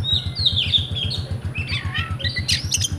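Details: Kept oriental magpie-robin (kacer) from Comal, Pemalang, Central Java, Indonesia, singing rewo-rewo style: a wavering high whistled phrase, then jumbled warbles and abrupt high chips, with a low regular thumping pulse throughout.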